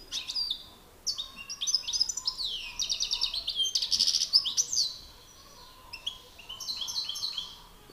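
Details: Two male European goldfinches singing against each other, one a master singer, the other excited: rapid liquid twitters and buzzy trills in bursts, a dense rattling stretch mid-phrase, then quieter chattering.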